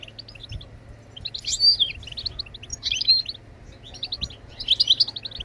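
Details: Goldfinch song for stimulating other birds to sing: bursts of dense tinkling twitters alternating with sparser chirps, louder liquid trills in three clusters, low electrical hum behind.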